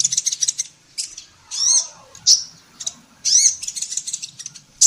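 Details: Female sunbird called kolibri ninja in Indonesia, recorded to train songbirds, mixes quick high twittering runs with a few longer buzzy slurred notes and sharp single chips.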